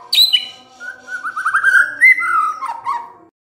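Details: White-rumped shama song used to provoke other birds to reply: a high whistle opening into a fast warbling trill, then rising and falling whistled notes fading out.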